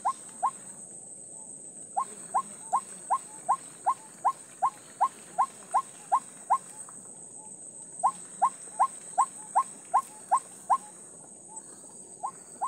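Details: White-breasted waterhen separated from its mate, repeating quick rising notes about every 0.4 seconds in three long bouts with brief pauses between them, over a constant high-pitched hiss.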